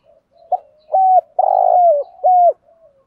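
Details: Morning coos of male and female spotted doves, played to provoke kept doves into calling. A soft lead-in note precedes a steady sequence of level hooted coos, then one long bubbling coo that falls at its end.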